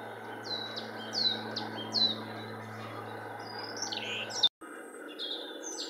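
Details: Marsh tit singing several song types at Linford Lakes Nature Reserve, Milton Keynes, 25 March 2015. A run of sharp, high, down-slurred whistles comes about one per second, then switches to different notes, over a low steady hum.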